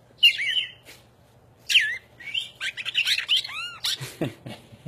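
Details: A cardinal perched on a person's shoulder sings bright, slurred whistles, some rising and some arching down, in loose bursts over about five seconds. A faint low hum runs underneath.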